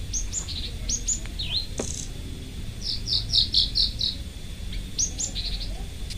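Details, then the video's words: Loud local Indonesian lark in energetic song: high whistled notes, a dipping slurred phrase, then a quick series of bright clipped chirps and more whistles, against low background hum. "Branjangan Parva Gacor Volume Keras"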